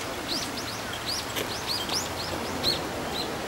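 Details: Female common kingfisher at her favourite perch on a stone wall along a riverbank, wary of the sky when down at the water's edge; a quick series of short, high, arched chirps, about a dozen within three seconds, over steady outdoor noise.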